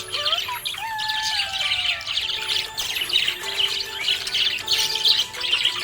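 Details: Cheerful budgerigar warbling in bursts of high, rasping chirps and little whistled slides, about every two seconds rising in intensity, with background music tones throughout.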